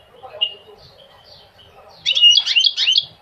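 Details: Goldfinch song opening with a few thin, scattered whistles, then a sudden loud burst of quick, tumbling twittered notes in the last second.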